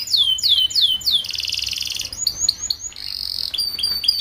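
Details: Young canary singing for tutoring groups of young canaries so they sing sooner. It begins with slow, clear descending whistled sweeps, then a rattling buzzy trill, short chirps and a further buzzy roll.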